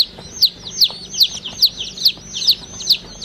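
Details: Baby chicken chick peeping: a single clear, high, downslurred peep repeated steadily about every 0.4 seconds, around eight peeps in quick succession, with a faint low hum underneath.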